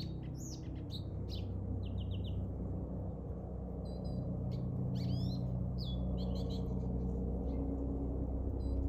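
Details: Lesser goldfinch singing, recorded 10 March 2024: high, thin twittering phrases of quick chirps and short trills in scattered bursts, over a constant low rumbling background noise.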